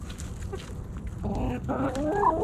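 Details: Backyard hens clucking while snacking at Thanksgiving: quiet scattered clucks, then a rising run of stacked, nasal clucking calls that grows louder in the final second.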